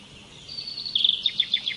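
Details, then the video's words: Birdsong starts with a thin, drawn-out high note and breaks into a quick run of bright chirps repeated about every fifth of a second, each with a short downward flick, over quiet background hiss. "Canto de pássaros"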